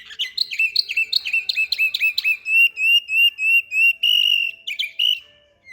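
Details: Canary song recorded in Samarkand, a continuous run of tours: sliding chirps giving way to evenly spaced level whistled notes, then a brief burst of trilled syllables before it stops.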